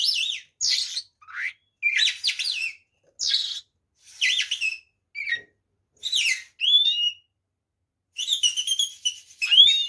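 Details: Oriental magpie-robin delivering a varied fighting song to provoke rival birds: rapid successive bursts of high, scratchy chattering and sweeping whistles, about a second each, with short pauses between them.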